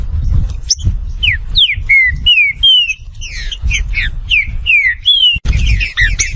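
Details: Green-winged saltator, Saltator similis, from Brazil: a steady stream of clear slurred whistles, some rising and some falling, about two to three notes per second over constant low background noise.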